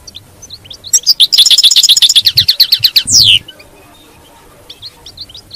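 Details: Captive European goldfinch: scattered chirps lead into a fast, buzzy, rattling twitter lasting about two seconds, with low thumps beneath, then soft isolated chirps.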